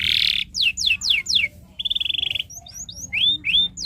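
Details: Canary song used to teach young birds: an opening buzz, four falling whistled sweeps, a pulsing trill, then scattered short high chirps and rising slurred notes.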